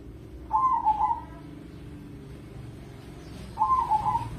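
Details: Zebra dove of a crossbred Indonesian competition line, used as a lure recording. It gives two rolling, warbled cooing phrases about three seconds apart over a steady low humming background.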